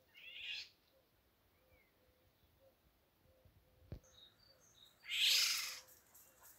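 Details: A Eurasian golden oriole parent alarm-calls protecting fledglings that just left the nest in a garden: two harsh, rasping, cat-like screeches, a short then a louder one, with thin high chirps and soft low notes between.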